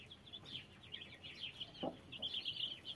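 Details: Broody hen with 33 chicks: rapid high, thin peeping from many chicks runs throughout in overlapping bursts, with one short low cluck from the hen near the middle.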